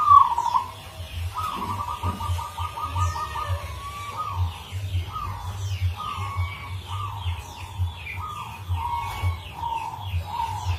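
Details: Local zebra dove with a rare, unique rhythm, used as a lure song: a soft coo, then a beaded rolling trill and a string of short rolled coos repeated every second or so, with faint chirps from other birds.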